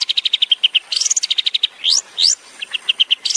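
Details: Long-tailed shrike in tembakan style, recorded as a master for training songbirds: brisk strings of short sharp chips, broken by quick upslurred whistles, then more clipped chips.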